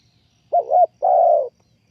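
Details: Spotted dove, a bird used as a trapping lure, gives one cooing phrase: a quick wavering double note, then a sustained smooth coo lasting half a second, clean and close.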